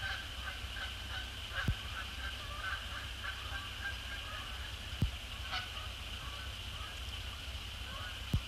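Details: Evening, 2 December 2017: resident and migratory Canada geese cross the sky after sunset to land on Sapsucker Woods Pond, giving scattered honks throughout amid a constant high-pitched hum, low background rumble and three brief thuds.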